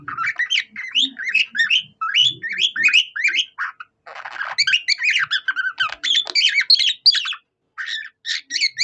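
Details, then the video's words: Budgie imitating a cockatiel's singing, delivering a long, unbroken run of scratchy chirps and upslurred whistles, one brief rough noisy burst midway, then more rapid warbling. "A budgie that sings like a cockatiel"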